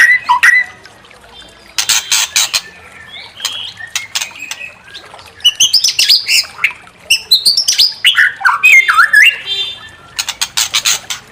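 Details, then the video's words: Provoking song of a white-rumped shama to make rival birds sing their full repertoire: scattered harsh, scratchy bursts and short gaps, then a dense run of high twisting, slurred whistles. "Pancing EMOSI MURAI BATU BONGKAR ISIAN"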